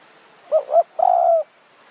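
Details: Decoy luring of a spotted dove in Kanchanaburi's high mountain forest, Thailand; a bird with a small voice and sharp delivery. One phrase: a pair of brief soft coos leading into a longer, steady, slightly falling croon.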